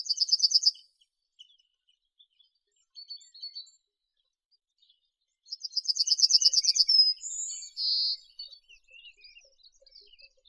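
A yellowhammer sings a fast, dry run of repeated high notes ending in two drawn-out notes, the first higher, the second lower.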